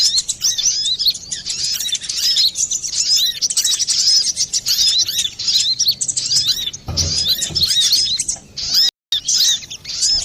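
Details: Long run of brown-throated sunbird song, clear and noisy, used to lure birds or coax them into singing: continuous high twittering and chirps, a low thud near seven seconds, and a brief cut near nine.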